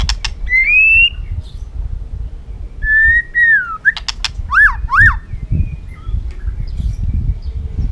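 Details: White-rumped shama kept in a cage, singing to fire up other birds for competitive singing: a few separated whistled phrases, rising then falling, and two quick downward-curving notes, with low background rumble.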